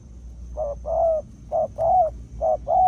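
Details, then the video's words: Close, loud cooing from a spotted dove used as a decoy: three quick pairs of a short coo and a longer wavering coo in under three seconds. "Cu Gáy || BỔI ĐỒNG || Mồi MS93 lập công"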